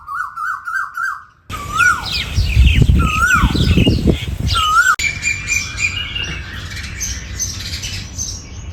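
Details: Asian koel calling: rapid rising whistled notes at first, then single slurred whistles that hold and drop, heard over loud low rumbling noise and busy high chirping from other birds.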